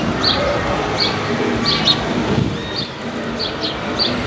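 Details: Urban house sparrow in Paramirim, Brazil, calling with short, clipped chirps spaced about half a second apart, partly masked by steady city background noise.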